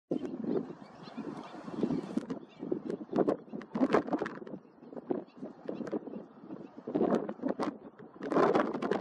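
Slender-billed gulls give harsh, nasal calls in quick, overlapping bursts, several birds at once, over a steady low rumble of background noise.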